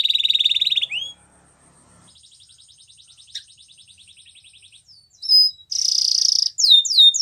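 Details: Spanish Timbrado canary song for training. A rolling trill opens, followed by a soft, rapid, steady ticking run, then a loud buzzy burst and crisp downswept whistles.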